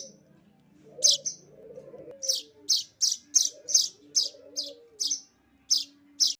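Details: Feeding of a streaked weaver chick: a rapid, fairly even series of sharp, high-pitched begging chirps follows a low, burbling warble at the start. A faint low hum persists.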